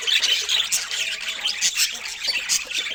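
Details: Many pet budgerigars eating fresh fruit chatter loudly, with sharp whistled chirps and raspy squawks packed closely together.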